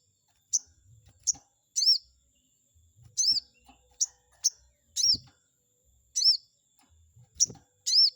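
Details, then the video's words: Chestnut-backed scimitar babbler song used as a lure to provoke a rival bird: short, bright, arched high-pitched notes given singly or in quick doublets at irregular intervals of about half a second to a second, with faint low thumps in the background. "pancingan burung sogon auto emosi || bikin respon sogon lawan"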